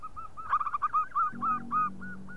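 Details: Perkutut lokal, a local zebra dove, offered as a lure call: a quick string of soft, evenly pitched coos that tumble together, then space out, over a steady low hum.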